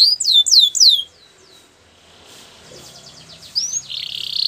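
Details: Canary singing for training: three loud descending whistled slurs open, then a quiet gap with soft distant chirps, closing with a rising note and a steady buzzy roll.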